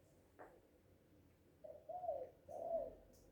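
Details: Loud, happy Spotted dove song: one brief tap, then three mellow, low coos in quick succession, the last one longest and slightly falling.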